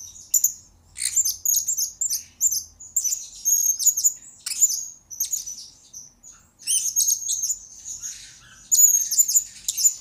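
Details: Blue-crowned hanging parrot in a tutor and lure recording for training birds, producing repeated clusters of piercing, very high chirps and buzzy twitters. Phrases of one to two seconds follow one another with brief gaps.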